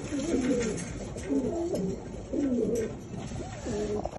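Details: Homing pigeons wanting to mate give low, throaty, rolling coos in repeated bursts about once a second, several birds overlapping indoors.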